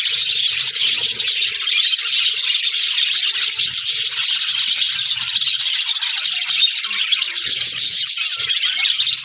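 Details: Flock of pet budgerigars in an aviary colony, a continuous dense warbling chatter of many overlapping chirps and twitters, steady throughout, with faint low rumbling underneath.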